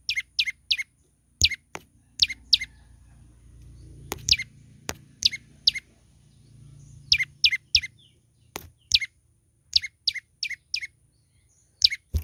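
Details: A young olive-backed tailorbird sings persistently, giving repeated bursts of two to four piercing, downslurred chip notes at irregular intervals, with a low hum and occasional clicks in the background.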